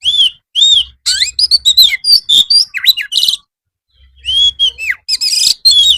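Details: White-rumped shama master song for afternoon bird therapy: bright looping whistles alternate with fast chattering and trilled bursts, broken by short silences, the phrases varied and rich throughout.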